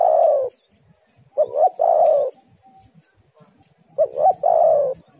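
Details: Lure recording of a spotted dove calling to draw other doves: a long, low coo ends one phrase, then two more phrases follow, each with short rising hoots before a sustained mellow coo, with brief quiet gaps.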